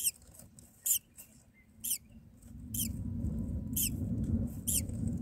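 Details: Myna chicks in their nest being fed, calling; six rasping squeaks repeated about once a second, while a low rumbling noise swells through the second half.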